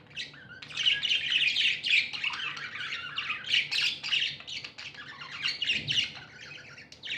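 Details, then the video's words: Tamed budgerigars, said to be happy, keep up a loud, nonstop squawky chatter of harsh overlapping chirps, several voices at once, with a short low thump near the end. "Happy budgies chirping sounds"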